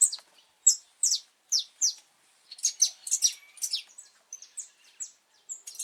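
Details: Wild saffron finch singing in Brazil on 8 November 2024, early breeding season, recorded in cold, rainy weather: a series of sharp, high, downslurred chirps, first spaced out, then faster, tumbling notes with a few brief thin whistles.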